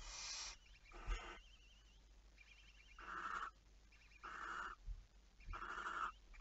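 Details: Barn owl recorded 11 May 2019 at 23:34: five harsh, wheezing screeches at uneven intervals, the later ones more tonal in the middle, with faint wavering high notes between them.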